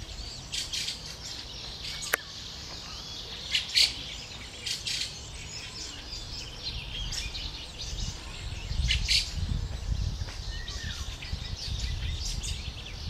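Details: Young fieldfare on 20 May 2013, begging while waiting for its parents to bring food, giving harsh, hissing, high chirps in quick, uneven bursts, a few each second, over a steady low rumble of wind or distant traffic.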